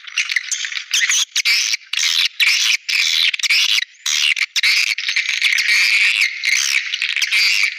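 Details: Swiftlet calls played to attract wild swiftlets: a nonstop wall of rasping twitters and chirps from many birds, with short dips in volume every second or so.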